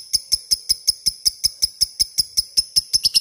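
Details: Lovebird calling a rival in the ngetik ticking style: a steady series of bright, metallic, high-pitched ticks at about five per second, evenly spaced, speeding up slightly at the end.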